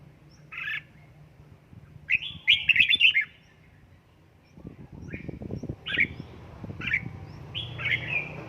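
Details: Home-trained red-whiskered bulbul in 'căng lửa' fired-up singing: lively phrases of bright warbled chirps and short slurred whistles, repeated in quick bursts, with some low clattering noise in the background.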